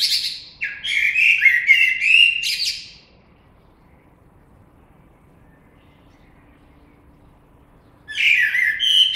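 Blackbird song: a mellow fluted phrase sliding into high squeaky twitters, a pause of about five seconds, then another phrase starts.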